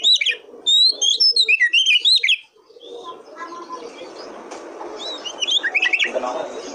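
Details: Oriental magpie-robin (kacer) singing, recorded to draw song from other kacer birds. Brisk sequence of loud whistled and chirping phrases for two seconds, then rumbling background noise with softer whistles returning near the end.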